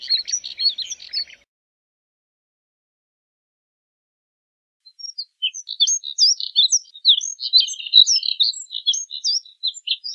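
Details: Moussier's redstart: a short scratchy burst, a silent gap of several seconds, then a long run of rapid high twittering with upslurred and downslurred chirps, many notes each second.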